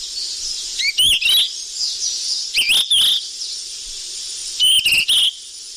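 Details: Golden flycatcher (sikatan emas) lure call for bird trapping: three spaced groups of rising whistles and clicking chips, about two seconds apart, over a continuous high-pitched hiss.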